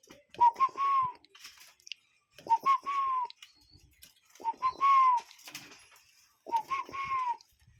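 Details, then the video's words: Real cuckoo calling outdoors, four steady repeats about two seconds apart, each a brief whistled note followed by a drawn-out, gently falling whistle; faint clicks and background rustle between phrases. "Relaxing Cuckoo Bird Sound in Nature"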